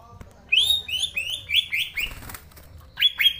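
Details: Singing green leafbird: a rapid run of five bright, downslurred whistles, a short gap with a soft rustle, then two more clear slurred notes.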